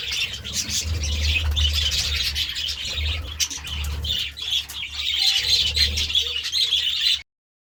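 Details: Several pet budgerigars feeding excitedly on vegetables; dense, continuous high chirping and warbling chatter from many birds overlapping throughout, with a steady low hum underneath and a brief pause near the end.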